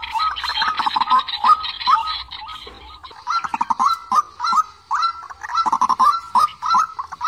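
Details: White-breasted waterhen, a young 'quốc tơ' with a smudged face, used as a trap lure: a rough, noisy chatter, then broken series of nasal, hooked croaks in irregular bursts.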